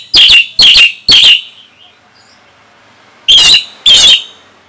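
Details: Orange-headed thrush singing as a training song for young and stalled songbirds. It gives sharp, loud, high whistled notes: three in quick succession, then a pause, then two more.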